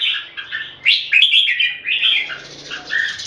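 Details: Red-whiskered bulbul raised Singapore-style, singing in a two-bird competition. Loud, warbling chirps run almost continuously over a background of hiss and soft clatter, with a possible wing flutter near the middle.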